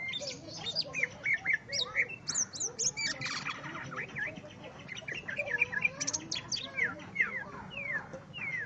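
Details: Greater green leafbird singing at a rival, a busy stream of sharp, high whistled notes and quick up-and-down slurred phrases with chattering bursts, delivered almost without pause over a low background hum.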